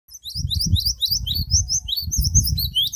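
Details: Caged canary trained with Java sparrow song, delivering rapid high chirps and sweeping whistled notes in quick succession over a low rumbling background.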